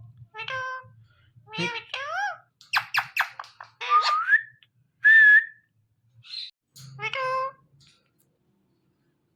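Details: Indian ringneck parrot talking, a string of varied squeaky speech-like syllables, clear whistled slurs and a few harsh notes, separated by short pauses.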